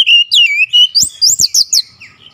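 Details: Oriental magpie-robin (kacer) persistently delivering its repertoire (isian): a level, sustained whistled tone followed by a rapid string of about six high, bright rising-and-falling notes, with faint clicks beneath.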